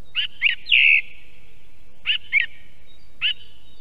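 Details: Wild song thrush in Estonia, picked up by an osprey nest camera: short bright whistled notes and a longer fluty slur, the brief motif repeated a couple of times against quiet background.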